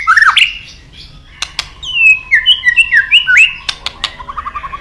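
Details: White-rumped shama in full song: sharp clicks, then a fast run of clear whistled notes sliding up and down, ending in a short series of quick low repeated notes.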